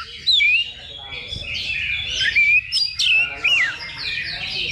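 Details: Oriental magpie-robins (kacer) at a level 2 simulated contest used as training before competing. Sharp rising and falling whistled slurs come in several loud bursts over softer continuous chattering, with faint low background noise.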